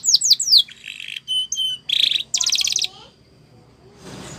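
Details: Spanish Timbrado canary song used to train young canaries: a few falling whistles, then short clear tones and bursts of dense metallic trills, fading into quiet hiss.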